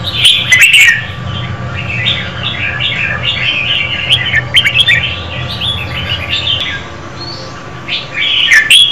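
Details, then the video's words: Female red-whiskered bulbul singing to stimulate a male, a long flowing chatter of quick warbled notes between louder chirps at start and end, low hum throughout. "Chào mào mái hót kích trống Red-whiskered female"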